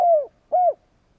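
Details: Spotted dove decoy bird cooing to provoke rivals: two smooth, low rounded coo notes about half a second apart, the first sliding downward, in quiet surroundings.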